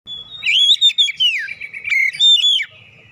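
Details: Oriental magpie-robin song used as a lure to get birds singing: loud whistled phrases sliding between high and mid pitch, with a long descending slur and rich varied notes, ending in quieter background.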